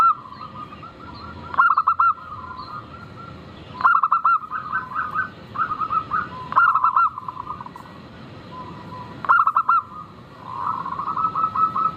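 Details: Zebra dove of the local type singing, played as a lure to prompt singing. Four bursts of rapid, ringing cooing notes arrive roughly every two to three seconds. Softer trailing coos and a low hum sit between them.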